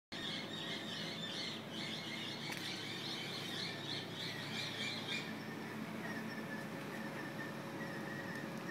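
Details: Peacock at Montsalvat in Eltham, Victoria, Australia, giving harsh, nasal squealing calls in a rapid pulsed series for about five seconds, then quieter, with steady outdoor background noise.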